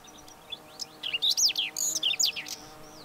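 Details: A Whinchat's song: a rapid, grating warble of high squeaky notes, chirps and sharp rising and falling whistles packed into about two seconds, over quiet steady background hum.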